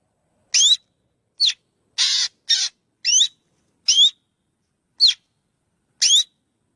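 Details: Calls of a black drongo: eight brief bursts, mostly bright twisting double whistles with two harsh buzzy rasps mixed in, roughly one every half to one second against silence.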